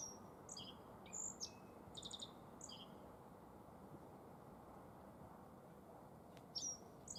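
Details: Black-faced bunting in spring song at Tenjinyama, Sapporo, Hokkaido, Japan: a quick burst of high, thin chirps and a short buzzy trill early on, a final brief phrase near the end, over low steady rumble.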